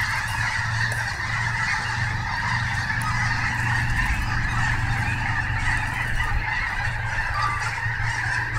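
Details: A Snohomish flock of snow geese keeps up a steady wall of overlapping nasal honks, while a low, steady rumble hums underneath.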